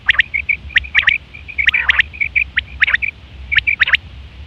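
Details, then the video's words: A quail, recorded September 2023, gives sharp, clipped, high notes in quick clusters, roughly one burst every second, with faint rustling underneath; the call is used for hunting and mating. "Quail fresh sound"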